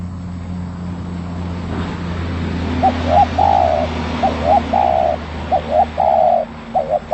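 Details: Spotted dove in vigorous song: several low coo phrases, each two short notes and a longer held coo, beginning partway through. They are heard over a loud, steady rushing background noise.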